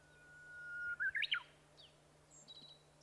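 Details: Japanese bush warbler: a long, steady whistled note that breaks into a short rising, warbled flourish, followed by faint high chirps from other birds and a low steady hum underneath.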